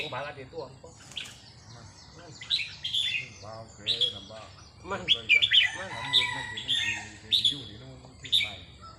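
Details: Red-whiskered bulbul song during practice on a day off: short, clear whistled phrases repeated in loose bursts, with men's speech running underneath.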